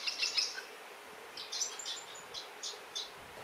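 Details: Eurasian crag martins in the Alentejo, Portugal, agitated near nesting sites on buildings or under a bridge: short, dry, high chirps in loose clusters, a quick burst at the start and then scattered single notes, with light background hiss.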